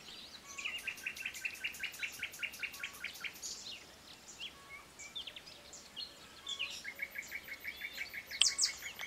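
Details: Eurasian penduline tit finishing its nest at Idanha-a-Nova gives thin, high calls and rapid twittering in quick repeated bursts, with other small birds chattering faintly behind.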